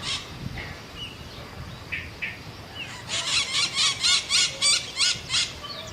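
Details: Scaly-headed parrot (maitaca-verde, Pionus maximiliani): a few faint squeaky notes, then a loud, steady series of harsh, scratchy screeches, about eight in under three seconds, evenly spaced and similar in pitch.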